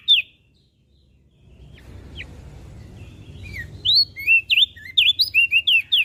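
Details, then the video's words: Mountain leaf warbler, used to lure and tutor pet birds, sings a brisk string of ringing, looping whistles near the end, preceded by a few isolated chips and soft background hum. "Opior Jambul Gacor"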